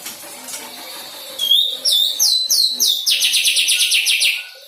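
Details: Young white-rumped shama, newly independent, practising song material: after a quiet start, a run of high, sharply descending whistled notes repeated about three times a second, speeding into a steady rapid series.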